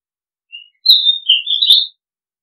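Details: An Oriental magpie-robin, in a clip of calls meant to lure birds, gives a brief, sweet whistled phrase: a soft opening note, then a run of clear, slurred whistles rising and falling, with thin high accents.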